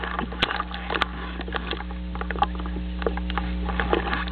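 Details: Soft patter and rustling over a steady low hum, with no animal calls.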